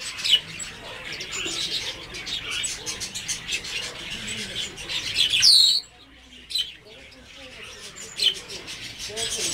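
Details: Blue whistling thrush with a single sharp, high, falling screech midway through, set against a busy background of dense high chirping and twittering from many small birds.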